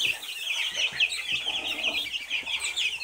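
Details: Constant high cheeping from a group of Silkie chicks, short sharp peeps piling on one another without pause for about three seconds.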